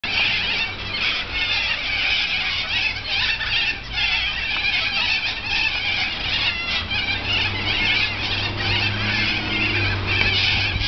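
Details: A large flock of corellas feeding in a Norfolk Pine right in front of an apartment balcony makes a constant, overlapping din of harsh, grating screeches and squawks, with a low rumble underneath.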